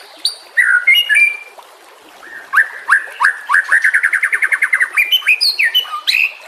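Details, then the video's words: White-rumped shama song as training material for other songbirds: high scratchy notes, then a fast accelerating series of short repeated whistles about three per second, closing with varied slurred phrases. "Suara kicau burung murai batu. Masteran buat:cendet plentet trocok cucak ijo rowo jalak."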